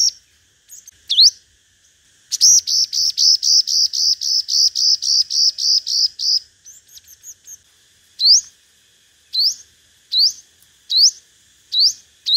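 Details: Five-coloured sunbird singing competitively on a loudspeaker lure track: a few sharp rising notes, a long even run of high chips lasting about four seconds, then spaced upslurred whistles roughly every second.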